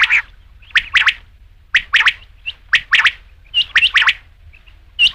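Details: Rain quail (batair) uttering quick strident doublets and triplets, roughly one group per second, with sharp attacks and nothing else audible.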